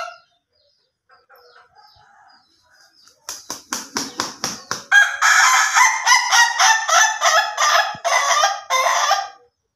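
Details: Ayam Ketawa chicken giving a long crow that begins with rapid staccato clucks, then breaks into a loud sustained series of choppy laughing syllables, with no other sounds around it.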